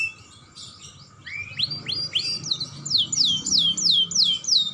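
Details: A young canary sings to prompt other canaries. A thin, quiet opening leads into a run of looping, swept high notes that grows louder and repeats about three times a second.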